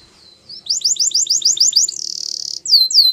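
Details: Canary singing for training: a soft whistle, a series of quick sliding double notes, a dense bright rattle, and closing falling whistles.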